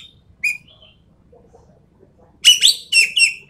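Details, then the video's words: Endemic Sumatran treepie in a birdkeepers' lure and tutor recording: one short clear note, then near silence, then a dense finishing burst of loud, rasping, overtone-heavy notes ending in a downslurred buzzy call. "MASTERAN/PANCINGAN BURUNG EKEK KELING SUMATERA"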